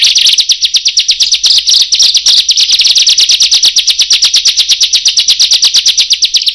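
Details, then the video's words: Bar-winged prinia, called ciblek or prenjak, delivering a harsh luring song: a long, rapid, even trill of buzzy high notes, almost three per second, blending into a continuous rattle. "Suara Brutal Burung Ciblek / Prenjak Cocok Untuk Pikatan"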